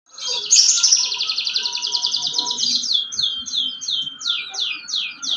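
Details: Canary singing loudly, a long fast trill of rapid repeated notes, then a run of separate downslurred whistled notes at about three per second; a steady low hum underneath.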